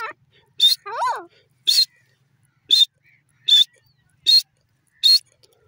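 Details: Grey francolin repeating short, loud, hoarse bursts at regular intervals of under a second, with one wavering, lower-pitched sliding note near the start.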